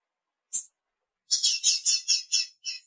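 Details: Female blue-black grassquit calling to excite the male. One sharp high chirp, then a pause, then a quick burst of about seven buzzy, full chirps run close together.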